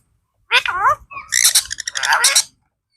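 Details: A pet blue parrot talks in a voice like a person's, calling "Mithu Mithu" in two bursts of clear harmonic, speech-like syllables lasting about two seconds, with a quiet background.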